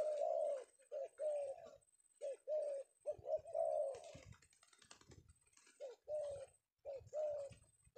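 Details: Low throaty cooing from a male spotted dove, or tekukur, caught in Indonesia one afternoon, in uneven phrases with tapping and knocking noises in the middle.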